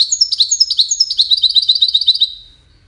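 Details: Distinctive goldfinch song, used in courtship and communication: a quick sequence of high chirps with brief downward-sliding notes, delivered in a cascade of about two seconds and then tailing off.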